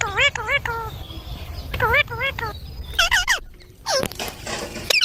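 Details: Green baby parrot giving a series of wavering, harmonic chirps in quick bursts, some rising and falling, with brief pauses between groups over a low background rumble.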